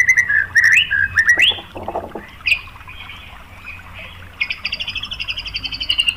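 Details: White-rumped shama lure song meant to provoke rival shamas: clear whistled phrases slurring up and down, a softer warbling middle section, then a fast repeated chattering trill near the end over a low background hum.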